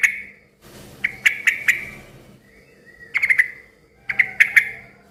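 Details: Yellow-vented bulbul in full, noisy song, said to set other bulbuls calling back; short bursts of three or four sharp, ringing notes, with quiet pauses between the bursts.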